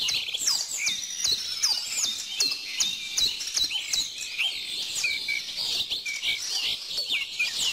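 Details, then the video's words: Busy outdoor chorus of small birds: high, thin whistled notes and sharp down-slurred chirps repeated rapidly, several overlapping voices, with a steady soft background hiss. "bird song"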